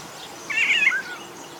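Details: African golden oriole (Oriolus auratus), call.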